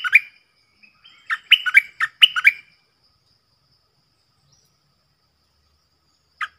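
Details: Decoy stripe-throated bulbul singing, used to lure wild birds and teach young birds: two bursts of rich, bubbling whistled notes in quick succession, a long silence, then one more note at the end.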